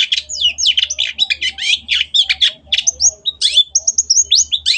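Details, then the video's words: Energetic Long-tailed shrike song used to train caged birds: continuous fast scratchy chatter of harsh chips and buzzy notes, later breaking into clear short whistles and rising slurs mixed with rasping phrases. "MASTERAN BURUNG CENDET GACOR"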